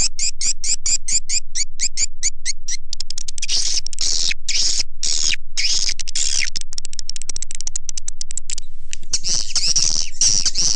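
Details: Swiftlet lure call used by Indonesian swiftlet farmers to attract birds: a fast series of dry clicks, then dense, harsh buzzy chatter and rattling trills, continuous and loud throughout.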